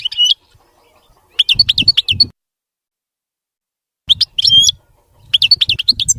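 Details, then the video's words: European goldfinch singing a clean, error-free song in short bursts of high, tinkling twitters and trilled notes separated by silent gaps, with soft low thumps under each phrase. "تغريد ملك الطيور المغردة الحسون (المقنين) نظيف وخالي من الأخطاء"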